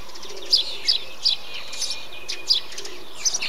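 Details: Chirping of a Eurasian tree sparrow inside a bee-eater colony: bright, high, clipped notes in quick succession, about three per second at first, then a short pause and more, over steady hiss.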